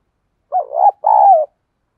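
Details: Spotted dove decoy bird singing to provoke other doves: one low, mellow two-part coo, a short wavering note followed by a longer, smooth, slightly falling croon. No other sounds.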